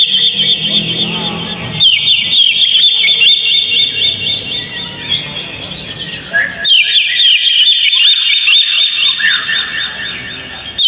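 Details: High, busy Oriental magpie-robin singing meant to provoke a caged bird into song; fast whistles and chirps run without break, with a short drop in loudness near seven seconds before rapid trilled phrases return.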